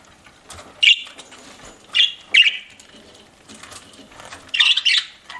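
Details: A budgie chirping while eating: short sharp chirps spaced about a second apart, then a brief scratchy burst, over faint rustling.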